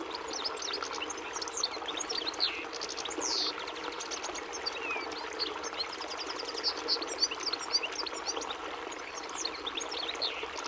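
A European goldfinch sings a fast, unbroken run of high tinkling twitters and short buzzy trills, with a soft hiss of background noise underneath.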